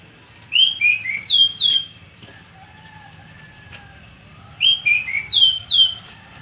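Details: An orange-headed thrush delivers two quick bursts of about five sweet whistled notes each, separated by a few seconds of near silence, with faint low background hum.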